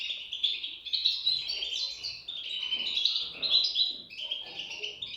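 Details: Shrill, wavering chirps from European goldfinch chicks run on without pause, rising and falling in short phrases.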